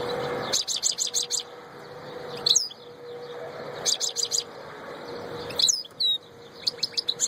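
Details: Goldfinch, named as a royal goldfinch, repeating bursts of five or six rapid high chirps interspersed with twisting slurred notes, in a lively twittering song over a faint steady hum.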